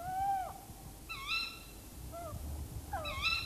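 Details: A tawny owl in a tree, mixed with other tawny owl sounds, gives several sharp, arched, slightly nasal alarm calls in quick groups over a low background rumble.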